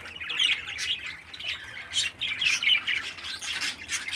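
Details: A 13-day-old healthy baby parakeet gives rapid, raspy squawking chirps in high bursts, several per second, with a faint low hum behind.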